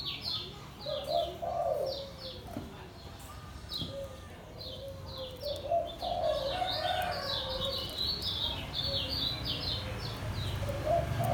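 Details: A caged white-eye of the kecial kuning Lombok type sings a long ngejos series of rapid, high, downward chirps in clusters, over intermittent low dove cooing.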